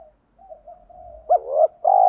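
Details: Spotted dove used as a decoy, calling to attract wild doves: faint soft cooing leads into an abrupt upward-flicking note with a wavering coo, then a strong sustained low coo that is cut off at the end.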